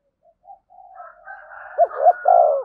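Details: Calling spotted dove decoy, meant to lure wild birds. Soft rising murmurs build into two short coos and a long hoarse final coo.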